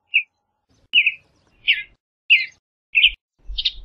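A western bluebird gives six short, soft, slightly burry chirps, roughly one every two-thirds of a second, the later notes a little rougher; a faint low rumble underlies the end.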